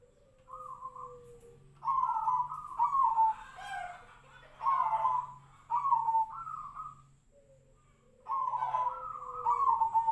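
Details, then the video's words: Zebra dove, Tejoanom song style: a low falling whistle opens, then several short rolling, bubbly coo phrases in uneven bursts, with a steady low hum and scratchy noise in the background. "PERKUTUT TEJOANOM|| SUARA SEPERTI BURUNG SIRTU-SIRPO"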